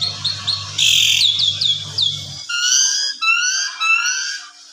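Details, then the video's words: Asian pied starling singing in the evening, a lure song in a style full of varied filler notes, used for training other birds: short upslurred whistles, then a run of clear rising whistles, with a low steady hum beneath. "Pancingan Sore !! Jalak Suren Gaya Full Isian Segudang Gacor Suara Istimewa Cocok Buat Masteran"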